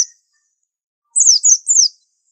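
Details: Short phrase from a white-eye, a 'super antik' Indonesian pleci used as a unique master: a brief cut-off note, then three high, slightly buzzy chirps that each slide downward.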